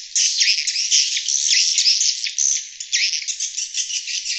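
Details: Glossy swiftlets chatter in a dense, continuous twittering of high, buzzy chirps that overlap without pause, with no low sounds beneath, a call sound meant to lure wild swiftlets.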